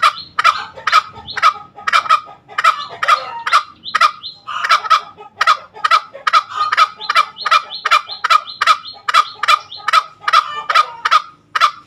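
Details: Green junglefowl giving its ngekek call: a long series of harsh, cackling kek notes, roughly two per second, about twenty in all, with a brief break near the four-second mark before the rhythm resumes.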